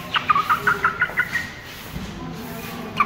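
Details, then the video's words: Aseel chick, 15 days old, giving a rapid series of short high peeps, about eight in a second and a half, then a pause and one more peep, over steady background hum. "Aseel Chick 15 Days Old"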